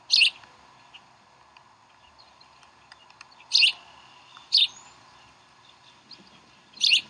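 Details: Bald eagles feeding chicks at the Decorah nest, 11 April 2012. Scattered loud, squeaky chirps come at irregular intervals of one to three seconds, with quiet gaps between.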